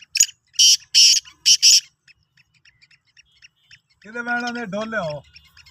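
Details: Sindhi kala teetar, a black francolin, recorded on 16 March 2023: four harsh, scratchy bursts delivered rapidly, then a quiet gap and a man's voice.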